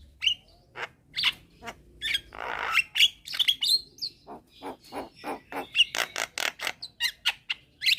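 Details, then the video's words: Javan mynas calling back and forth in daytime as a young bird summons companions: continuous harsh chatter, a rasping burst, and scattered high whistled notes in a steady rhythm. "Kicauan Jalak Kebo Gacor Siang Hari - Jalak Kebo Muda Memanggil Teman Bikin Semua Jalak Nyaut"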